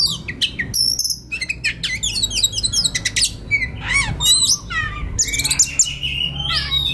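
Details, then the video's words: White-rumped shama in relaxed song, a master recording for tutoring young wild birds; dense, fast-changing sequence of sweeping whistles, twittering trills and sharp clicks with scarcely a pause. "SUARA KACER SANTAI LANJUT KONSLET Pas Buat Masteran Kacer Bahan Muda Hutan"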